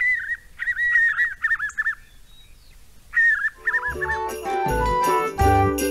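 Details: Spot-backed puffbird, a bird without visible sex differences: a run of wavering, warbled whistled notes, rising and falling quickly in bursts, repeated in two phrases, followed by loud music that covers the last part.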